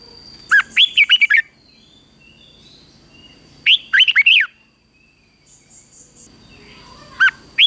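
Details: Red-whiskered bulbul competitive song for morning training, recorded in 2024 to stimulate young birds to sing. Short bursts of rapid, rising and falling whistles come in two full phrases plus the start of a third, with a faint steady tone behind.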